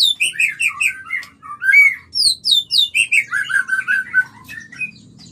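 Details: White-rumped shama mating song meant to trigger breeding, a clear run of rhythmic repeated warbled notes about four per second, then rising whistles and a second rapid series, loud and clean.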